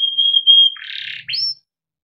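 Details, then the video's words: Brief phrase from a timbrado canary, sung for training: a steady high whistle, then a harsh buzzy burst, ending in a short rising whistled note. "Timbrado canary singing beautiful melodic songs for training and listening"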